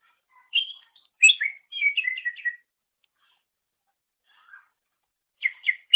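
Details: Greater green leafbird (cucak ijo) song for mastering songbirds: short whistled notes, then a quick descending run of repeated chirps, a long silence, and two sharp notes at the end.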